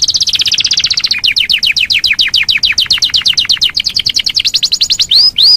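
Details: Yorkshire canary singing a long rolling song: rapid repeated high sweeping notes in fast series, switching to a second phrase after one second, ending with two clear upslurred whistles.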